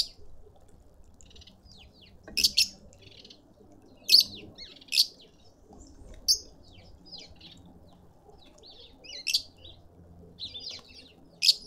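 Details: Green wood hoopoe seen close up in a suburban garden in Pretoria, South Africa: loud, harsh, rasping notes given singly or in pairs every one to two seconds, with quiet background hum between them.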